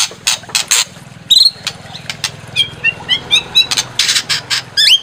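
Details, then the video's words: White-rumped shama, used to provoke a bird into singing its full repertoire: harsh chack-like bursts alternate with clear whistled notes, some rising and some swooping, repeated in quick succession over a low background hum. "Pancing EMOSI MURAI BATU BONGKAR ISIAN"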